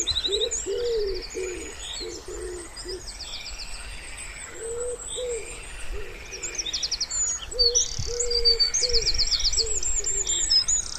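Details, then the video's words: By a still pond in spring, a wood pigeon gives several phrases of muffled, low coos separated by pauses. Busy high-pitched twittering and trilled songbird phrases continue throughout. "Wood Pigeon Sounds"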